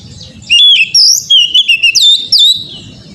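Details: Oriental magpie-robin (kacer) singing on a recording used as training material; a single rich phrase of loud whistled slurs and short sharp notes, some swooping upward, with faint low murmur behind.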